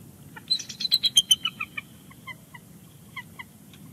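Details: Male bald eagle at a nest at Big Bear Lake, calling as his mate returns to take her place on the eggs, January: a rapid series of high, thin piping chirps that slows and fades into spaced softer notes.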